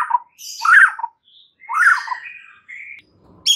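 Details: White-rumped shama kept as a pet producing rough, scratchy squawking phrases and a short whistled note, part of a lure song said to lift stressed birds into lively song.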